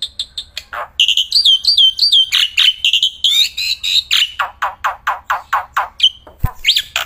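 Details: Black-winged myna, a caged contest bird singing outdoors and in hand, pours out loud unbroken song: ringing whistled phrases, then a rapid series of about a dozen harsh, rasping chips, ending with a sharp click.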